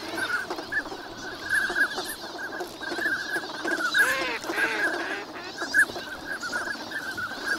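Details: Migrant ducks winter at Nagahama on Lake Inawashiro, with swans flying in later that fine morning. A dense run of high whistles from many ducks is joined midway by lower, hoarse honking calls.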